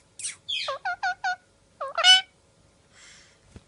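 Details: Parrot out of its cage calling: a quick series of short, evenly spaced whistled notes, then a louder rising squawky note, followed by a soft rustle.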